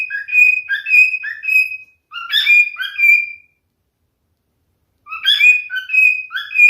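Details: Singing male cockatiel giving three runs of whistled notes, mixing short rising chirps with longer level whistles, broken by brief pauses.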